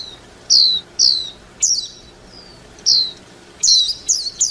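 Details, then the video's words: Warbling white-eye calling with short, bright, falling notes roughly once a second, ending in a faster burst of three or four sharper chips. "tiếng chim vành khuyên hót líu lo"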